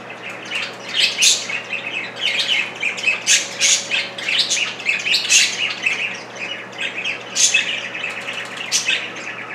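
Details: Pair of caged budgie parakeets fighting for control of a piece of broccoli, bobbing heads in sync; dense run of raspy squawks and chattering chirps almost without pause, over a faint electrical hum.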